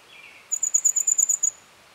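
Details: Red fody, also called Madagascar or common fody: a rapid series of about ten thin, very high, metallic ticking notes over one second, preceded by a soft lower buzzy note.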